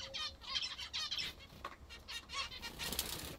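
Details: Zebra finches feeding on their favourite food, giving short, nasal, buzzy calls in quick bursts, several birds overlapping, with some soft wing flutter between calls.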